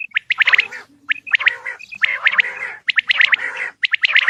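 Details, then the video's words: Calling male Coturnix quail: grating, chattering bursts of rapid clipped notes with a few thin higher squeaks between them and short pauses between phrases. "Male Coturnix Quail Calls / Sound"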